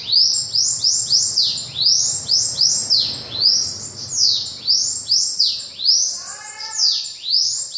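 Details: Bananaquit singing: very high, thin, rapidly repeated downward-sweeping notes that run together into an overlapping, sizzling chatter, with a brief lower buzzy trill near the end.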